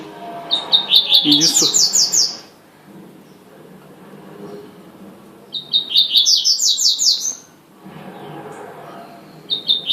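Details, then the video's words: Double-collared seedeater song of the "tuitui manda chuva" type, two fast bursts of sharp high notes rising into a quick trill, separated by roughly three seconds of near silence, a short third phrase beginning at the end. "coleiro tuitui manda chuva"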